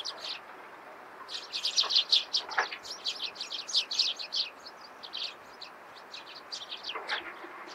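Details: Eurasian tree sparrow calling in the morning: bright chirps in bursts, a rapid run of chattering notes in the middle, then scattered single chirps.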